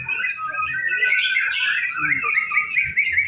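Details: Simulated singing contest of white-rumped shama, a continuous stream of bright whistles and fast warbled notes layered over one another, with light low-pitched knocks in the background.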